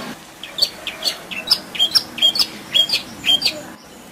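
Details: Long-tailed shrike singing 'full isian' style, a master recording meant to get reluctant birds singing: a quick series of about ten high, clipped whistled notes with buzzy edges, evenly spaced and spread over a few seconds.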